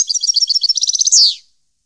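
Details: Short burst of European goldfinch song, 2015: about a dozen liquid high twitters quicken into a dense trill and end in a loud buzzy falling note, followed by quiet.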